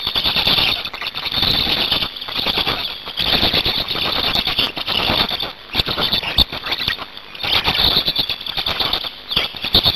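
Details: Nesting black storks in Hungary, 8 May 2019, at change-over and feeding time. A long run of shrill, wheezy squealing with rapid machine-gun-like clicks, swelling and fading in waves over ten seconds.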